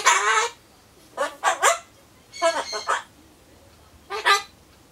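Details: Talking to itself while it waits for pumpkin, a pet Solomons corella repeats bye-bye style phrases. One long raspy opening word, then paired and tripled harsh syllables, ending with a short hoarse call, quiet indoor background.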